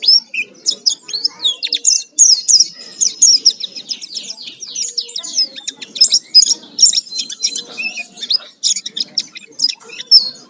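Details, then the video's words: Energetic Oriental white-eye song packed with fill-in phrases, played as a lure to provoke singing: busy high chattering and slurred whistles in quick bursts, with short gaps between runs and a faint low background hum. "Pancingan suara pleci gacor full isian"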